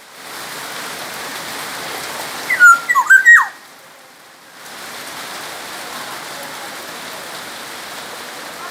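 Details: Black-naped oriole of Sumbawa origin gives one short burst of clear, looping whistles in the middle, surrounded by a constant rain-like hiss.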